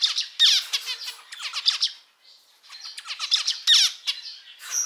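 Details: Domestic male zebra finch, one of several colour varieties, sings two bouts of nasal buzzes and steeply falling chirps separated by a short quiet gap near two seconds.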